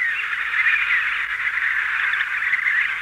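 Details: An Emperor penguin colony, a dense chorus of overlapping warbling, trumpeting adult calls and high piping chicks, with wing beating and a steady hiss in the background.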